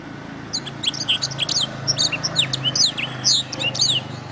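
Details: Canary song used to train other canaries: a quick series of sharp high chirps, short trills and descending slurs in several bursts, over a steady low hum.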